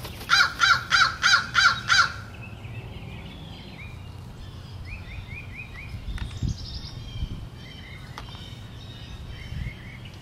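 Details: Crows feeding, rowdy and greedy: six harsh, rich caws in quick, even succession across two seconds, then faint thin chirps of small birds over a low background rumble.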